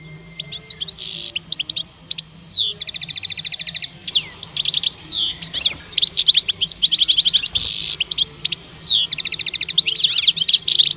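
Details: Two caged male European goldfinches at the Rumbeke bird fair, 16 October 2021, deliver an extended tinkling song of buzzy trills, rattling note series and slurred whistles, with brief pauses and a steady low hum beneath.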